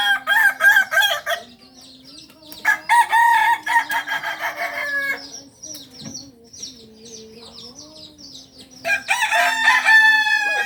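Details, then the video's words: Singing rooster of the Kokok Balenggek breed, native to Solok and kept on a farm in Solok city. Several loud, rich, stepped crowing phrases are heard, with quieter passages of soft tonal notes and small bird chirps between them. "Ayam kukuak balenggek ayam penyanyi asli solok"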